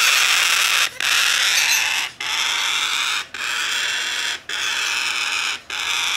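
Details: A domestically bred, hand-tame blue-eyed cockatoo chick, recorded 14 September 2019, gives long, harsh, hissing-rasping calls, each about a second long, repeated five times with brief pauses.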